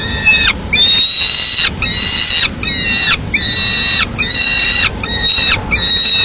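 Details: Solitary peregrine falcon chick in Madrid, 22 May 2016, demanding food as the female eats a swift at a window: about six longer, drawn-out screaming calls, some held nearly a second, with dropping endings.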